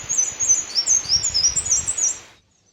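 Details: Black-and-white Warbler dawn song in northern Minnesota's Sax-Zim Bog on June 21, breeding season: very high, thin squeaky notes in quick, wheel-like pairs for over two seconds, with a soft low rumble underneath.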